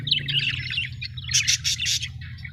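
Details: Happy budgerigars give a burst of warbling chirps, then a quick run of four or five sharp, bright ticks in the second half, all over a steady low droning hum.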